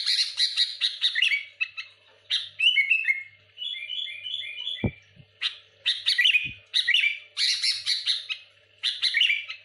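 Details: Sooty-headed bulbul in lively, continuous singing meant to pressure and provoke rival bulbuls: dense bursts of sharp chirps and whistled phrases, one run of rapid repeated bubbling notes, with two loud knocks partway through.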